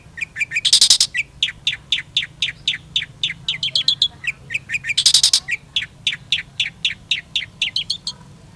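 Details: Long-tailed shrike singing at full pace: fast, chattering runs of short, rising chips, broken twice by a loud, harsh rasp.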